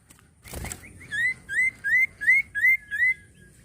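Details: Common iora in vigorous song: a brief noise, then six loud, clear whistled notes that each rise and bend over, repeated about every half second at an even pace.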